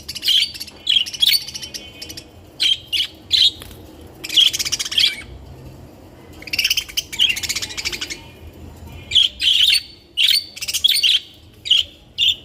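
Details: Colorful captive budgerigars chatter in bursts of sharp, buzzy chirps and warbles, loud clusters separated by brief pauses over twelve seconds.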